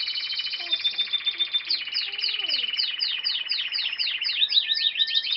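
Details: Canary singing a rich, rapid song: fast trills, then a run of sharply repeated downward-sweeping notes several per second, ending in a buzzy rolling trill. Faint low sounds sit underneath.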